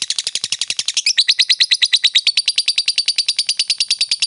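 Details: Fighter lovebird giving the ngekek chatter, used as a lure to provoke a rival into chattering: a long, rapid, even train of harsh, high, buzzy notes, about three per second, steady throughout.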